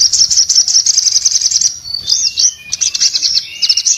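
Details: Orange-headed thrush in breeding condition, open-beaked and singing vigorously to provoke other orange-headed thrushes. Loud rapid high trill for nearly two seconds, then varied arched whistles, stuttering notes and a lower sliding whistle.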